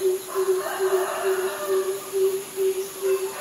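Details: Greater Coucal at Ubon Ratchathani, Thailand, on 22 May 2022, gives a steady series of deep, hollow booming notes, about two every second, over a constant high insect whine.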